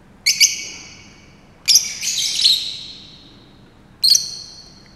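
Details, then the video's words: Fischer's lovebird singing and dancing at Saarbrücker Zoo, May 2018: bright, shrill chattering notes in three groups, the middle one longer and more warbled. "Fischer's lovebird (Agapornis fischeri) is singing a song"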